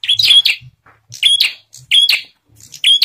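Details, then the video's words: Bar-winged prinia singing a lure song meant to prompt other prinias to answer, with emphatic chipping bursts topped by a piercing whistle, recurring about every three-quarters of a second, and soft low thumps in the background. "Burung Prenjak Apapun Pasti Bunyi Setelah Mendengar Suara Burung Prenjak Gacor Ini"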